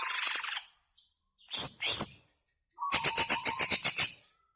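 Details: Greater green leafbird in long continuous song, played to stir caged birds to sing: a high chattering burst, two sharp rasping notes, then a fast even run of about eight clipped chirps.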